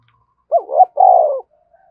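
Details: A lone loud phrase from a spotted dove calling hard in the thúc bổi style. A quick, broken double note leads into a sustained, mellow, gently descending coo. A faint coo trails off afterwards. Quiet background.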